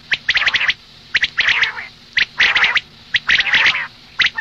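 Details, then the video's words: Female common quail calls for the morning: quick clicks followed by rasping, nasal bursts, repeated about once a second in uneven clusters. "Madi batair ki awaz suba ke liye مادی بٹیر کی آواز"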